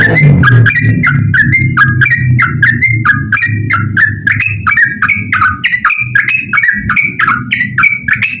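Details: Yellow-vented bulbul in long, rapid-fire ropel song, meant as a lure for birds that rarely sing. Quick run of short chirpy whistled notes, about three a second, sliding between two pitches, with sharp clicks and a steady low hum beneath.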